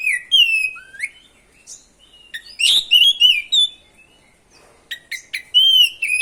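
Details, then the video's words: Oriental magpie-robin singing continuously, used as a lure to provoke other magpie-robins. Loud, clear whistled phrases sweep up and down, mixed with sharp chips and buzzy notes. A quieter gap falls mid-clip, then rapid bright whistles resume. "PANCINGAN SUARA BURUNG KACER GACOR NGEROL BIKIN KACER LANGSUNG EMOSI‼️"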